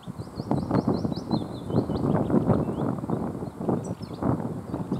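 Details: Goldfinch song: a quick run of high, tinkling twittered notes in the first two seconds, then scattered thin chirps, heard over loud, low rumbling background noise.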